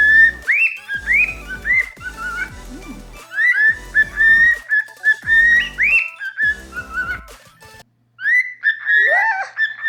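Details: Two pet cockatiels, a normal pied and an albino, whistle mimicked tunes such as the Mickey Mouse March into the owner's ear indoors; bright upslurred whistles and warbled notes in quick runs, a short pause near the end, then more whistling.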